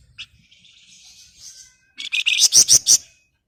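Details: After a soft, wavering whistle, a flamboyan launches into five or six loud, rapidly repeated buzzy notes rising in brightness; a master and lure song to prompt other birds to answer.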